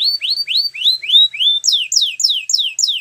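A Belgian canary sings rapid, repeated whistled notes about five per second, first rising sweeps, then a run of clear falling slurs. No other sounds.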